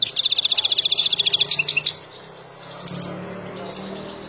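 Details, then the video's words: Wild European goldfinch singing, recorded to teach young birds; a rapid run of high, bright twittering notes repeated several times a second for about two seconds, then a few isolated chirps over a low background hum. "اروع تغريد طائر الحسون البري لتعليم فراخ"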